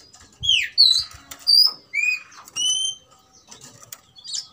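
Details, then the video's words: Oriental magpie-robin, an aggressive bird singing in fighting mode, used as a lure to provoke other magpie-robins. Clear whistled notes, rising and falling, about a second apart. Some soft low thumps. "BIKIN EMOSI dasar Kacer "EDAN" tarung tak mau diam"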